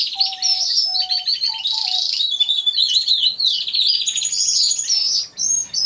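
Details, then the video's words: Aviary canaries singing together, captured by a concealed camera: loud, unbroken high trills and chattering runs, with a few lower, flat whistled notes at the start, then a brief dip in the singing near the end. "CANTO DE CANARIOS | AVIARY SOUNDS (SONIDO REAL DE UN AVIARIO DE CANARIOS)"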